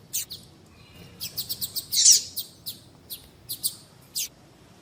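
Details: Double-collared seedeater sounds, female calls and tui tui song used to stir a male; quieter, widely spaced short high chirps and buzzy clicks, with one louder burst in the middle.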